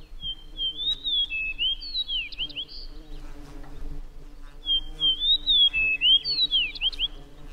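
Fox Sparrow giving two rich, whistled songs, each a quick run of sweet slurred notes rising and falling, about two seconds long, over a low steady hum.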